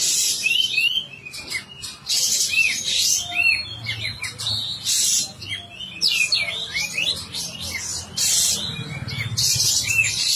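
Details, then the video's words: Sooty-headed bulbul singing actively with tail spread, for use in tutoring cage birds: short whistled and chattering notes in scattered groups over about ten seconds, alternating with loud hissing noise bursts. "Masteran Kapas Tembak"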